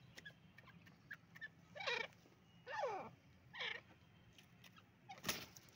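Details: Male Dakhni partridge (teetar): three loud, rough, looping calls, each under half a second, about a second apart, with faint chirps in between and a sharp click near the end over low background hum.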